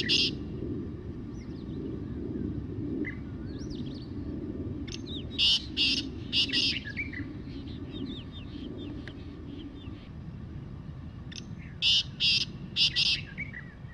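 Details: Black francolin giving two separate phrases of four or five harsh, rasping, buzzy notes in quick pairs, about seven seconds apart. Thin chirps and whistles of other birds sound between them over a constant low rumble.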